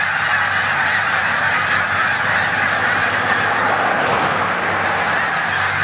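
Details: In a corn field on Olmstead Road, Savannah, New York, on 14 March 2020, resting snow geese mixed with resident Canada geese; a roaring wash of overlapping honks that swells briefly near the end.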